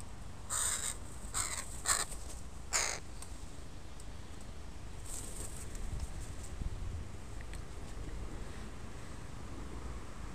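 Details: Crow family with young crows in a park, recorded on a Sunday: four harsh, rasping caws in the first three seconds, followed by fainter calls, over steady low outdoor rumble.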